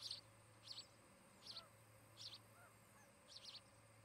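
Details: At their Charlo, Montana nest, an osprey pair caught on nest camera on 17 August 2018; high chirping calls repeated about every 0.8 seconds, some doubled, with a few softer whistled notes underneath and a low steady hum.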